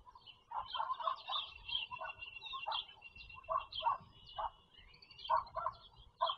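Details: At a Pennsylvania farm country nest holding four young, April 4, 2022, bald eagles give a run of short squeaky chips, roughly two every second, with thin high twittering above and low rumble beneath.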